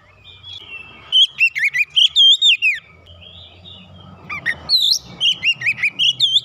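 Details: An Oriental magpie-robin, provoked and heated, delivers its isian: loud ringing whistles and twisting chirps in quick succession, a brief lull with faint low rumble behind, then another rapid series of sharp, repeated whistled notes.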